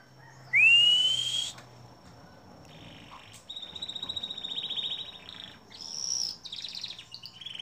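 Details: Canary song from a long training recording for songbirds: a loud rising whistle, then sustained buzzy rolled trills at differing pitches, separated by short pauses.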